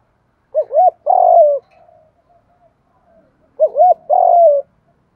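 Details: Spotted dove decoy bird singing its 'giọng thổ pha' call twice, about three seconds apart: each a pair of quick looping coos running into a sustained, slightly descending coo, with soft murmurs between phrases and no other noise.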